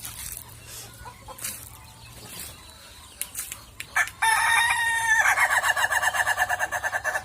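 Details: Ayam Ketawa laughing chicken from Meulaboh, Indonesia, kept by its owner, gives a ngokok laughing crow: a fast run of short, bright, evenly pulsed notes after a few scattered clicks and knocks in the background.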